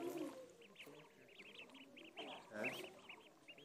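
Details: Duckling in a pond uttering a steady stream of short, high, up-and-down peeps in quick succession, with a louder burst of lower sound near the start and a brief noisy splash midway.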